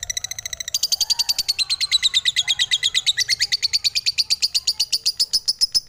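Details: Lovebird chattering in a fast, steady stream of high, buzzy notes that dip slightly in pitch and then rise again, about seven per second, with no other clear sounds.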